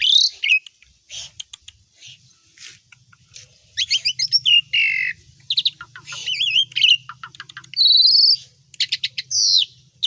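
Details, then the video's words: Energetic Asian pied starling song mixing imitations of other songbirds: sharp clicks, bright whistled slurs, buzzy chatters and a long rattling trill, with a faint low hum in the background. "JALAK SUREN GACOR DOR ISIAN📯BESETAN SEMUA BURUNG KICAU"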